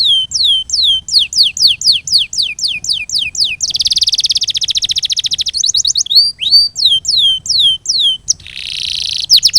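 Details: Canary masteran song: a string of falling whistled notes, a long dense buzzing roll, quick swept notes, then another buzzy roll before closing chirps.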